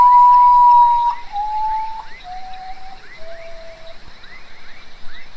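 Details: Common potoo (Nyctibius griseus) song in Brazil: a mournful run of about five long whistles, each slightly lower, with faint rhythmic insect or frog chirping behind; locally taken by some as an eerie, supernatural omen.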